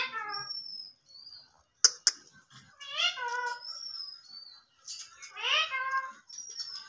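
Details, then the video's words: An Indian ringneck parakeet, a talking parrot, alternates thin high whistles with mimicked speech-like phrases, two sharp clicks and rising, harmonic syllables across several seconds. "Ringneck Talking Parrot Natural Sounds"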